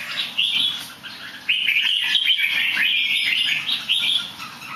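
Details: Songbird noted for good singing and a little somersaulting, delivering a continuous run of rapid, slurred warbling notes that rise and fall, nearly unbroken for about four seconds.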